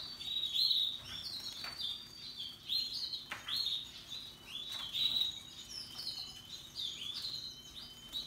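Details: Happily singing Russian yellow and Timbrado canaries with other birds: sharp high chirps repeated roughly every second, each a quick down-slurred note, over a constant faint trill.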